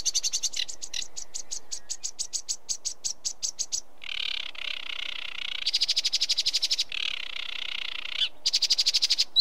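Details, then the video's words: Sedge warbler delivering rapid ticking trills broken by drawn-out, rasping, buzzy churrs with a harmonic, reedy tone, then more quick trilled bursts. "Sedge Warbler Bird Call Bird Song"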